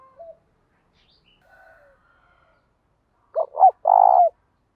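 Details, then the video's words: Spotted dove serving as a decoy to stimulate other doves, with a good, structured coo. Near-silence gives way to two short low notes and one sustained, rolling coo at the end. "Chim cu gáy mồi có giọng gáy hay và bài bản, kích bổi nhanh nổi và gáy nhanh"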